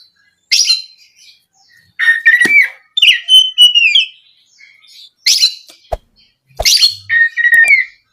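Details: Kacer, the oriental magpie-robin, singing a lure phrase to stimulate other birds; scattered whistled notes, a gliding whistle near the middle and scratchy chirps, with brief silences and clicks between bursts.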